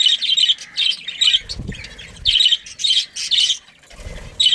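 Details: Budgerigars in a breeding colony of pairs and families, giving bursts of sharp, harsh chirps that come in clusters about every half second, with soft low thuds and rustling between them.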